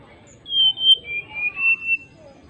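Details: Energetic song of a greater racket-tailed drongo calling an opponent: a smooth whistled phrase of long, slightly wavering notes in a pulsing rhythm, about four swells in two seconds, with faint low hum behind.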